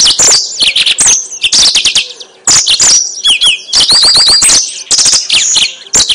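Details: Lure song of a yellow-fronted canary: fast, bright twittering with quick trills and repeated rising-falling slurred whistles, a few brief breaths between loud bursts.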